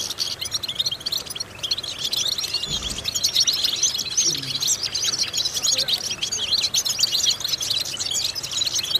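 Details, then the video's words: European goldfinch singing in a vocal training recording meant to stimulate other goldfinches; a continuous, rapid, high-pitched twittering with tinkling notes throughout and a brief, faint low sound near the third second. "important vocal exercises necessary to stimulate goldfinches"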